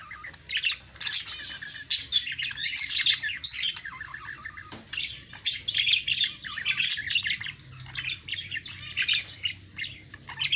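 Budgerigars chatter in a busy stream of high chirps, squeaks and warbles.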